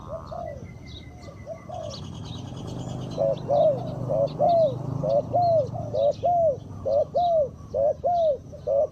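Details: Spotted dove kept as a decoy for luring wild birds. After a few seconds of rustling noise and a thin whistle, evenly spaced mellow coos start and repeat roughly every second, with soft chirps from other birds above.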